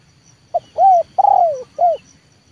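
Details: Spotted dove, a trained leopard-type decoy bird used to bring wild doves down to the yard, gives one four-note coo phrase: a brief clipped note, an arched coo, a long slurred coo sliding downward, then a short closing coo.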